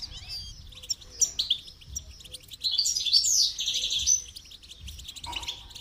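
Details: Goldfinch song recorded for song training, a fast, jumbled stream of bright twittering notes and short trills in uneven bursts, loudest around the middle, with a brief low tone near the end.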